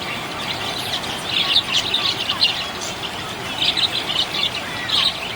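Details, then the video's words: Happy budgerigar in full chatter: dense, buzzy high warbling and chirps run in two long bursts with a brief lull between, over a steady hiss. "Happy budgie chirping sound"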